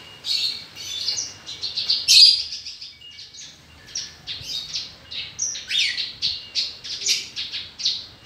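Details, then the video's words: Australasian bushlark (Mirafra javanica), a kept songbird, delivering a long, fast medley of high chirps, trills and downslurred whistles with a brief pause partway through; no other clear sounds. ""BRANJANGAN" BURUNG SAWAH BERSUARA EMAS"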